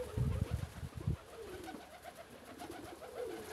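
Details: Low throaty cooing from homing pigeons enjoying being let out: a drawn-out hummed note dipping and rising, with some deep thuds early on.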